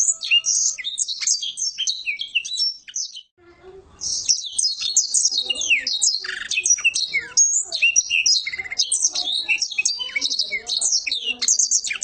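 Black-throated Canary singing a fast, high, twittering song with long rolling trills and sweet chirps, pausing briefly after three seconds before racing on.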